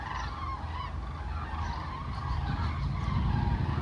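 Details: Common cranes passing overhead above Toppila trumpet in a loose, overlapping chorus of repeated bugling notes. A steady low rumble fills the background and grows louder toward the end.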